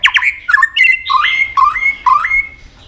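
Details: White-rumped shama singing in many voices in competition style, tail flicking, a rich varied phrase of sharp opening notes then fluting whistles that jump between low and high pitches, sung indoors.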